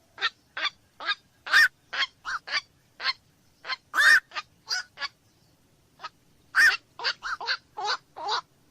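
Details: Black-crowned night heron giving harsh, hoarse squawks, about twenty short croaks in quick but uneven succession, some doubled, loud against a quiet background.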